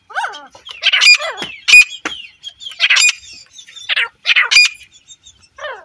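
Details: Female grey francolin giving loud, harsh, squawking calls: rasping, broadband notes in quick irregular clusters, with a few shrill peaks and thin falling notes.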